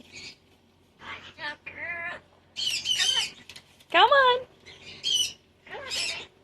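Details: Pet cockatoo chatting with its owner indoors: a varied string of squawks, warbling wavering notes and a strong falling-rising squeal, with the owner's coaxing speech.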